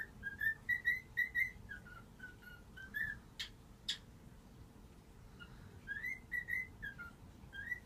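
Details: Pet cockatiel indoors, waking its owners by whistling 'If You're Happy and You Know It': clear mid-pitched whistled notes in short melodic phrases with slight upward slurs, broken midway by two sharp knocks, then the tune resumes.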